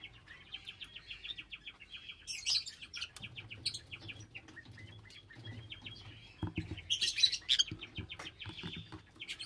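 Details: Lovebirds keeping up rapid, even ticking chirps, broken by louder harsh screeches near the middle and end, with some low thumping in the background.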